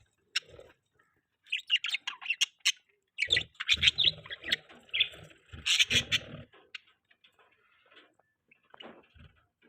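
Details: Pet budgerigars chirping in the morning while eating: bursts of busy, warbling chatter and short sharp chirps, with clicks and pecking taps from feeding between calls.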